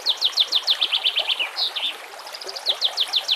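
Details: Singing white-rumped shama, recorded as training material for other shamas: rapid, evenly repeated high downward-sweeping notes, about six a second, then a short pause before the burst resumes, against soft natural background noise.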